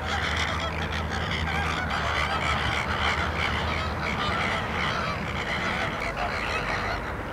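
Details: Larnaca salt lake, Cyprus: many flamingos give a steady babble of harsh goose-like honks, overlapping without pause, over a low hum.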